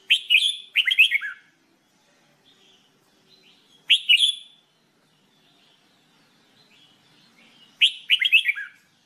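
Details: Red-whiskered bulbul in singing training giving lively multi-note warbled phrases of quick rising and falling whistles, three bursts about four seconds apart with quiet gaps between.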